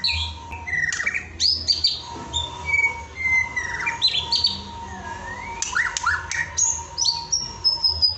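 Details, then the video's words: White-rumped shama song intended to raise a pet shama's excitement: varied fluting whistles, swooping slurs and scattered high chips in an unhurried, changing sequence, with a continuous tonal hum and low rumble behind. "bongkar isian murai batu untuk menaikan emosi murai batu peliharaanmu"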